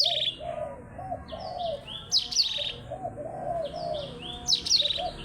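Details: Blackthroat singing in a contest with a Java sparrow: bursts of high, thin chirps and quick trills near the start, around two seconds and again near four and a half seconds, over steady low cooing from a dove throughout.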